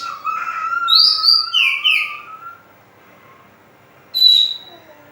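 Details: Oriental magpie-robin singing as a lure for other birds: a fast varied sequence of low and high whistles with slurred notes, a pause, then one bright high whistle.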